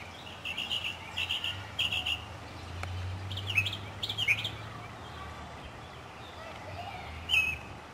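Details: Spring song of a Northern mockingbird in a South Carolina city neighbourhood, 2008: bursts of harsh buzzy phrases repeated several times, then pauses, with low hum and other background birds.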